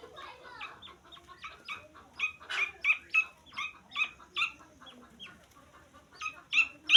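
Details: Grey francolin chick in a rapid stream of high, clipped chirps, several per second, some louder and fuller than others, over an otherwise quiet background.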